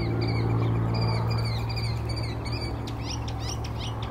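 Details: Northern mockingbird singing in Old South Cemetery, April 17, 2024. A run of repeated thin, high notes switches partway through to a different set of sharp, rising chirps, all over a loud steady low hum.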